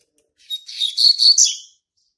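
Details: Territory-marking song of a young male double-collared seedeater born March 2019: a bright, rapid run of high, buzzy, rolling chirps that rises in strength and then fades.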